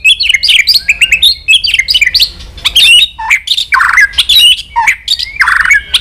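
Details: White-rumped shama singing vigorously, with jumbled high chirps and whistles broken by harsh, buzzy rasping bursts, the phrases crowding one after another without pause.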